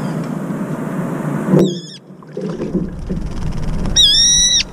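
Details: A brown-eared bulbul bathing in cold water gives two loud, shrill, slightly wavering screeches, a short one then a longer drawn-out one, as it emerges after splashing and rustling in the water.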